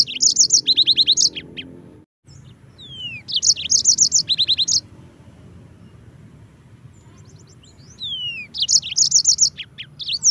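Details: Tutor recording of a yellow-fronted canary for training white-eyes. Three bursts of rapid, rhythmic high chirping roughly every few seconds, with slurred falling whistles between them and a short gap of near silence early on.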